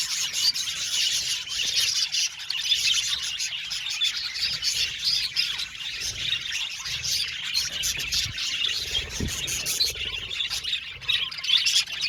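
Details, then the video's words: Budgerigar colony in an aviary producing unbroken high-pitched chirping and warbled chatter from many birds, dense and fizzy, with occasional louder squeaks and a faint low thump partway through. "Budgie Sounds for Lonely Budgies | Natural Relaxing Chirping Sounds"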